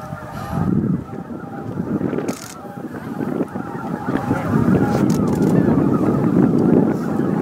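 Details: Thousands of greater white-fronted geese arriving to roost at dusk on Miyajimanuma, Bibai, Japan, 11 April 2016, around 18:00–18:30; continuous chorus of nasal honks swelling louder toward the end, with low rumbling wind noise underneath.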